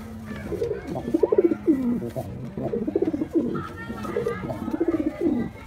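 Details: Performing male white pigeon: deep, bubbling coos in rhythmic phrases, each a quick pulsed roll ending in a falling note, repeated about three times amid background cooing.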